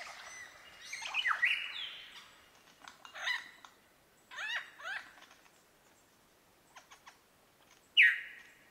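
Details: Superb lyrebird mimicry: varied squawks, clicks and downslurred whistles in separate bursts, ending with a loud sudden descending note.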